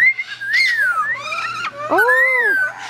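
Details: A captive African grey parrot at Jungle Gardens, a talented mimic, gives clear, tuneful whistles that slide up and then down, three or four phrases in quick succession, over a faint steady indoor hum.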